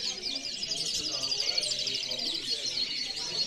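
A European goldfinch sings a fast, unbroken stream of bright, liquid twitters and tinkling trills, high-pitched and jumbled, with no other clear sounds.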